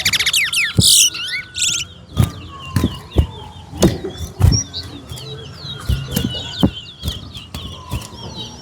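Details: Towa-towa singing in a bragging-rights competition, West Coast versus West Bank: rapid, high warbled and twittering phrases sliding up and down, with repeated sharp knocks and thumps and a low steady whine underneath.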